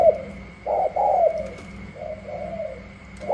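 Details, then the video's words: Spotted doves from Cà Mau, Vietnam, a wild-caught bird dueling rival doves: a few loud, husky coos followed by quieter, drawn-out cooing and a final strong note, against a low hum. "Chiến rừng mới về thử sức mây tàu & gù la"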